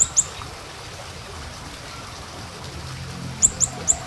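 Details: Small minivet calls used as a lure: one sharp, very high, thin note at the start and three more in quick succession near the end, with quiet hiss in between.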